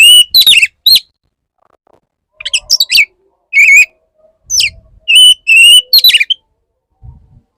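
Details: Oriental magpie-robin male wooing a female: quick descending whistles, then a run of sustained clear notes and rapid sharp chips, with faint low thumps at the end.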